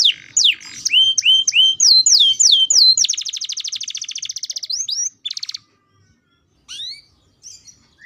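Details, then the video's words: Canary kept for training so it sings quickly: fast rolled song of repeated high swooping notes, then a rapid buzzy trill lasting about two seconds, followed by scattered single high notes after a pause. "kenari paud agar cepat bunyi"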